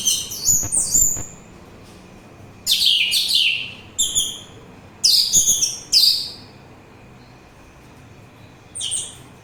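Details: Orange-headed thrush in full song, meant for relaxation and luring birds: rich, high, sliding whistled phrases in quick clusters, falling in pitch, with longer pauses between groups.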